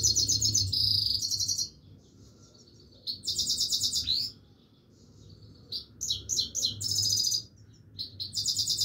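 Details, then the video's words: A Himalayan goldfinch sings on and off in bursts: loud, high, rapidly pulsed buzzy trills lasting a second or so, separated by short quiet gaps with soft twitters, over low hum. "himaleyan goldfinch singing continuesly"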